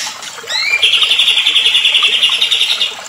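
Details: White-rumped shama lure song meant to excite other shamas: two quick rising slurred whistles, then a long, loud, evenly pulsed high trill of about two seconds over steady background hiss.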